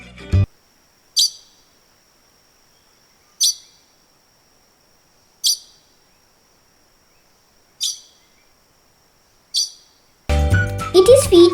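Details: Sri Lanka blue magpie (Ceylon magpie), a Sri Lankan endemic of dense forest canopy, giving six sharp, high, clipped calls about every two seconds over a thin steady high whine; music starts at the end.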